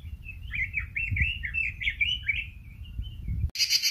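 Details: Red-billed leiothrix, known locally as robin, in lively song: a continuous warbling run of quick rising and falling whistled phrases, with a low rumbling background and a sudden harsh burst at the end.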